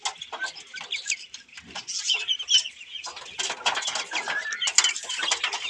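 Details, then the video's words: Several Australorp hens give soft, busy clucks and brief chirpy notes in a continuous overlapping chatter while looking for something in a person's hand, with scratchy rustling throughout. "Chickens sounds |Austrolorp chickens"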